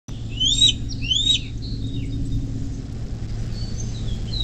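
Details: Bald eagle at its nest beside the Little Miami River near South Lebanon, southwest Ohio, USA, filmed by nest camera at 10:12 on 24 May 2024; two high, thin whistled notes that rise then fall, over a steady low hum.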